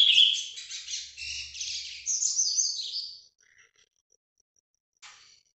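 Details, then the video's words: Captive Brazilian ultramarine grosbeak delivering a Paraná-style song: a dense, hurried warble of about three seconds fading out, followed by quiet and one brief high note. "azulão Paraná vinte vinte ao vivo"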